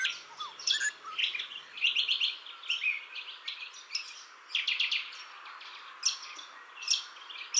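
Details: Young Grey Butcherbird holding a garden as territory, calling back to other territorial callers while at a fountain; bright chirps and short melodious phrases come in clustered bursts separated by brief pauses.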